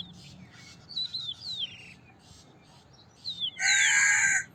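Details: Several small birds chirping and whistling softly, then one loud, raspy crow caw near the end.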